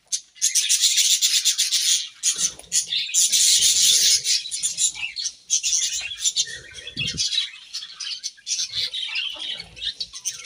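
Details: Budgerigars eating grass, a dense continuous chatter of rapid high chirps and warbles from several birds, with occasional soft low thuds and rustles.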